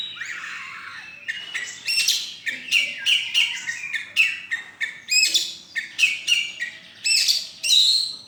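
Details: Winning white-rumped shama at a bird song festival and contest, 26 November 2023; a soft buzzy start builds into loud, evenly spaced sharp chirps and whistled notes, several per second.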